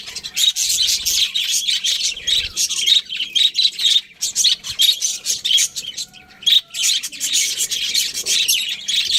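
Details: Budgerigars kept as pets chirp in a busy flock chorus, rapid scratchy high twitters and short whistled notes tumbling over one another almost without pause.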